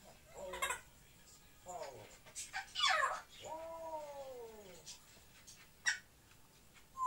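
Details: Two pet African grey parrots indoors in Moscow, Russia: bursts of harsh, noisy squawks alternate with clear, downward-sliding tonal whistles near the middle, then a short sharp chirp and a final brief note.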